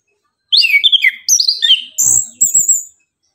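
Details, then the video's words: Orange-headed thrush in energetic morning song, pouring out quick varied whistled phrases with sharp upward and downward slurs, then high drawn-out thin notes, with a brief low thump in the background. "Anis kembang gacor pagi hari"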